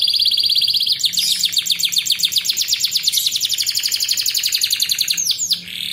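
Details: Fast, steady high-pitched canary trill of many quickly repeated notes, sung as master material for young birds to learn, running almost unbroken before finishing with a brief descending swoop.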